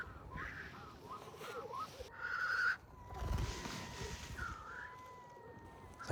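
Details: Black grouse at night near a tent in Skarvan and Roltdalen National Park, Norway, acting strange at this time of year: faint low bubbling trills and two harsh hissing notes amid rustling and a steady hum.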